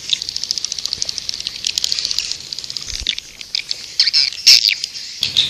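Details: Seventh swiftlet calling track for attracting birds: rapid high clicking trills at a steady pulse, then louder, harsher chirps crowding together toward the end.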